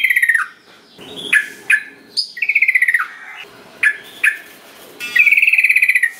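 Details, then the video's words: Sooty-headed bulbul song meant to coax silent bulbuls into singing. Brief falling pulsed trills alternate with sharp upslurred chips, and the clip ends on a longer steady rattling trill. "Pancingan Trucukan Biar Gacor .Trucuk Malas Bunyi Jadi Ikut Ikutan Bunyi"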